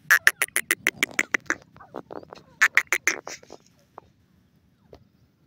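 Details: A francolin, locally a teetar, gives a series of loud, sharp, clipped notes that slow and fade, then a second burst of rapid harsh notes before trailing off into quiet with a low background hum.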